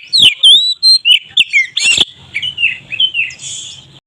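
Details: Loud open song of an Oriental magpie-robin (kacer maret), played as a lure for other birds: sharp clicks and sweeping whistled notes, then a run of warbling phrases fading out, with faint low hum underneath.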